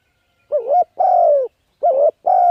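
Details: Spotted dove used to lure wild birds, thúc gù cooing: two quick phrases, each a wobbling coo followed by a long steady hollow coo, clear with no background sounds.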